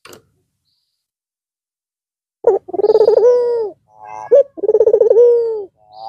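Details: After a long rest over the Eid al-Fitr holidays, a white red-eyed Barbary dove coos again. Silence comes first, then two coos of rapid throbbing pulses that smooth into a sustained, slowly descending note.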